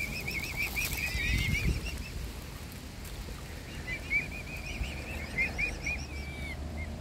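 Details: Mute swan cygnets in a family, hungry and being fed by hand, give bursts of high arched peeps separated by a quieter pause. A few notes end in longer falling slurs, over a low rumble.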